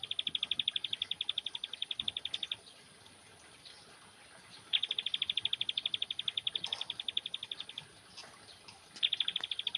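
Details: Young bar-winged prinia being lightly sunned delivers three bursts of rapid, high-pitched ticking notes, each lasting about two to three seconds, with short quiet gaps between them. A thin constant high hiss sits in the background.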